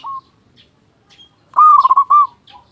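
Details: A local zebra dove with a strong voice sings to prompt other doves: a short soft coo, a pause, then one loud, bubbling, trilled phrase lasting under a second.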